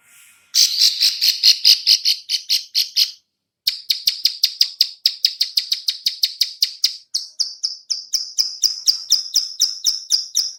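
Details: Female bar-winged prinia giving clicking lure calls: a harsh, buzzy run of rapid clicks, a short silence, then a long series of quick high ticks that become cleaner and more spaced.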